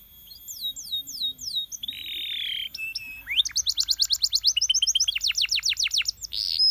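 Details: Canary song used to rouse other canaries: a few descending chirps, a buzzy held note, scattered short tones, then a long, accelerating trill of sharply repeated high notes.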